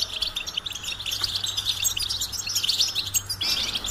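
A goldfinch sings a fast, unbroken run of bright, high twitters and tinkling chirps, with a faint low hum underneath.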